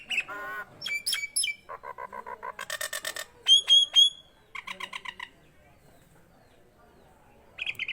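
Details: Nias hill myna delivering clear, rich harmonic notes in repeated rhythmic series, piercing high whistles, and short nasal phrases, separated by brief pauses and a quiet gap before a final call.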